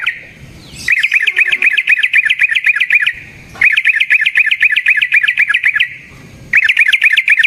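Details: Yellow-vented bulbul giving a long rolling lure song that sets other bulbuls singing. Rapid bubbly chattering notes come in three runs of roughly two to three seconds each, with short quiet gaps between them.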